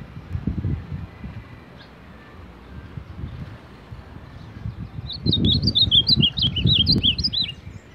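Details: Ultramarine grosbeak, champion of baderna-style song, gives a fast run of a dozen or so bright, looping whistled notes near the end, after a quiet stretch with low thumping and rumbling noise.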